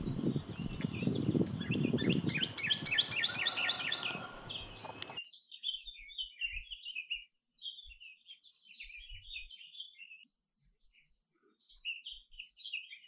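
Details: Canary song: a loud, dense burst of repeated chirps over background noise for five seconds, then softer scattered twittering phrases with short pauses.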